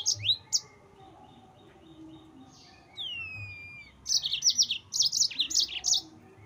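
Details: Song of a yellow-fronted canary meant to excite rival birds: a few sharp high chirps, a long descending whistled slide, then a dense run of buzzy trilled notes.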